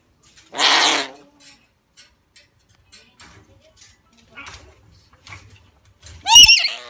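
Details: A red lorikeet among towels squawk-hisses in protest: a long, harsh hiss, then a loud, grating squawk near the end, with quiet rustling in between.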